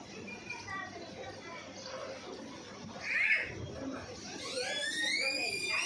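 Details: A pet ringneck (rose-ringed) parakeet, apparently while feeding, speaks a few shrill words like "mummy" or "papa", then a run of bright, rising, chattering phrases over a steady indoor hiss.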